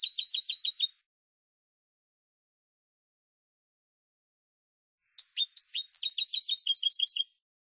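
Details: Spanish European goldfinch on a competition song recording: high, rapid twittering bursts of tinkling notes, about a second each, separated by a few seconds of silence.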